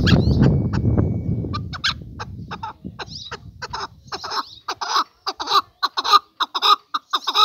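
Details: Male chukar partridge: after a loud low rumbling noise fades, clucking notes begin and speed up into a ringing, evenly spaced series of chucks.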